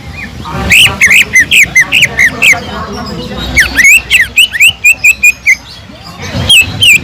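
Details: Greater green leafbird singing kingfisher-like notes, used as a lure: rapid strings of loud, ringing, wavering whistles in two main bursts separated by a short quieter gap.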